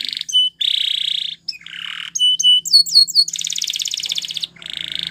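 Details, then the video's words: Canary training song mixing sharp clear notes, buzzy pulsed trills and a short run of looping whistles, with phrases changing every second or so. "Unexpectedly, The Sound Of This Canary Attracted Many Canaries To Song"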